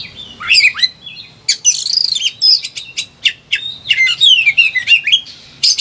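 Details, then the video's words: Kacer, or Oriental magpie-robin, in high excitement pouring out varied song useful for prompting silent birds; whistled swoops and warbles interleave with harsh rasping bursts in a lively, continuous stream. "KACER EMOSI TINGGI BONGKAR SEGUDANG MATERI"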